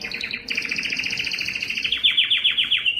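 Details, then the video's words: A yellow canary sings a rapid rolling trill, about 222 pulses a minute, stacked in bands, then breaks into a series of quick descending chirps. "yellow canary singing"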